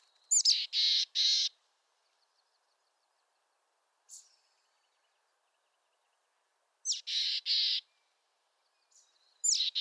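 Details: Buzzy, scolding chick-a-dee calls from a mountain chickadee in western North America. Sharp high notes lead into two or three rasping dee notes, with bouts several seconds apart and a single faint high note between them.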